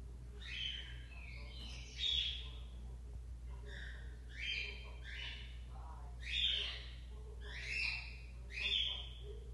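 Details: Double-collared seedeater born in the region, coming out of moult and returning to song: faint short warbled phrases roughly every two seconds over a steady low hum.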